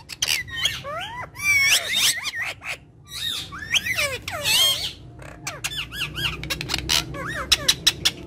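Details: Several pet talking parrots playing together, kept as a family; a dense jumble of harsh squawks and rising, wavering screeches, overlapping and continuous, with sharp clicks and a low background hum.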